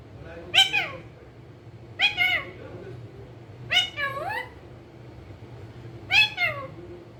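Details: Talking pet green ringneck parrot, a rose-ringed parakeet, produces four bursts, each a harsh note sliding downward into a second wavering syllable, spaced about one to two seconds apart.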